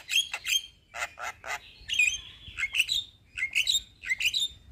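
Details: Javan myna (jalak kebo) singing a vigorous gacor rolling song: harsh squawky bursts alternate with short whistled notes, in irregular clusters with brief pauses, over a faint low background hum.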